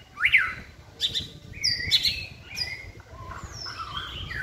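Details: White-rumped shama kept in a cage, singing during training on a pole: a varied run of short high whistles and quick chirps, some very shrill, with faint softer notes trailing off.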